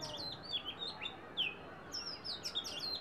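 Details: Oriental magpie-robin singing: a rapid run of clear, varied whistled notes, many sliding downward and some with sharp upward flicks, delivered almost without pause over a steady background hiss.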